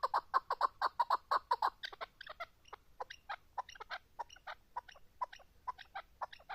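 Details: Chukar partridge with a quick burst of loud clucking notes, then softer, scattered higher chattering notes continuing at a looser rhythm.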